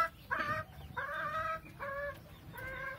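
A Golden Laced Polish chicken gives four drawn-out, nasal squawks, roughly one every second, each fairly level in pitch, over a low background hum.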